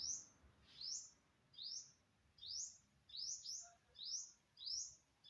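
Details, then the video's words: Unidentified bird, September 27, 2022, repeating sharp high upward-sweeping chirps, about eight notes, one pair close together, against a quiet background. "Successfully Recorded the Bird Sound"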